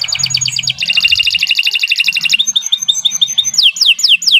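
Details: Canary singing long and vigorously, intended as a tutor recording for training other songbirds: a fast high buzzy trill, then a dense rolling trill, then loud descending whistled slurs repeated about every quarter second.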